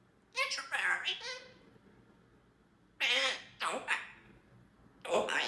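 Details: A young African grey parrot (Baby Zeus) talks in three short speech-like bursts, with clear word-like syllables and breathy, raspy edges, in a quiet small room.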